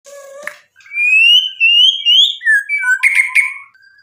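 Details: White-rumped shama song used as a lure to provoke rivals: a low whistle, then long rising and falling whistled phrases around mid-high pitch, ending in buzzy trilled bursts.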